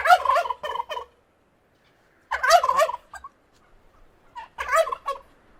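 A turkey gobbles three times, each a rapid, rattling burst of throaty warbles lasting about a second, separated by short pauses.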